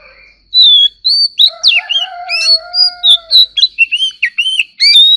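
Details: White-rumped shama in competitive singing: a brief faint note, then bright whistled slurs and chirps in rapid sequence, overlapping a lower, drawn-out harmonic call midway, before further quick whistles.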